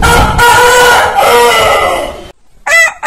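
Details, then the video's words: Rooster crowing in a long, loud, harsh cock-a-doodle-doo lasting about two seconds, with a rough, noisy tone. It is followed by a short gap and the start of a second crow. "Biggest Rooster Sound Alarm - Long Roosters Crowning Suara Ayam Berkokok Panjang"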